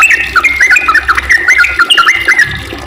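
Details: Sooty-headed bulbul giving a long, rapid, energetic song: dense runs of clear whistled notes that dip and rise, quickly repeated phrase after phrase, with a low steady hum beneath.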